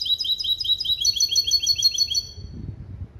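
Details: European goldfinch × canary hybrid, male goldfinch father and canary mother, delivering clean limpio song taught from goldfinch base calls, 2021. Rapid high chirps repeat about three per second in a steady string before falling quiet.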